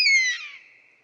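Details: Buzzard in its natural habitat: a single high whistled mew, already sounding at the start, sliding downward and fading into a thin trailing tone.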